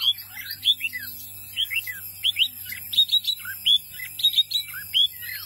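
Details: Wambi mini, a small white-eye, singing actively in a string of short, high, slurred chirps, each a quick downward flick, given about once every second over a faint steady low hum.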